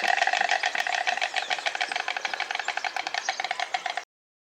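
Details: Wild White Stork (Ciconia ciconia) bill-clattering: a rapid, dry wooden rattle of dense clicks that loosens and fades as it runs, then stops abruptly after about four seconds.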